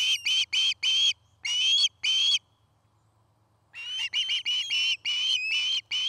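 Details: Osprey calling loudly at its nest in Charlo, Montana, on an afternoon nest-cam recording, 09-05-2018: a burst of six strong whistled notes, over a second of silence, then a faster, choppier run of piping chirps.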